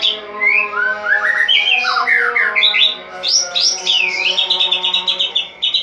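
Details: A caged white-rumped shama in full dawn song after its cage cover is opened, in the ngeplong style: varied loud whistles and slurred swoops give way to rapid high chattering runs, a steady hum beneath.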